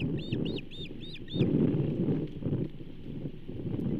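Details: Osprey calling at the Charlo nest on 15 June 2024 during a bull trout fish delivery: five sharp, arched whistled chirps in quick succession, then only a low, rough rumble of wind or background noise.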